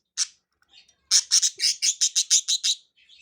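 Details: Playful pet budgies, three together, loosing one lone chirp, then a rapid, fairly even string of about ten sharp high tweets before trailing off into soft chatter.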